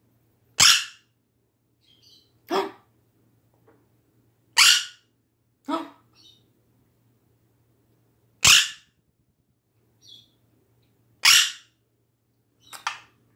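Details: A pet female Quaker (monk) parakeet gives loud, harsh, scratchy squawks in short bursts a second or two apart while singing and chattering to her own tune, amid her owner's talk.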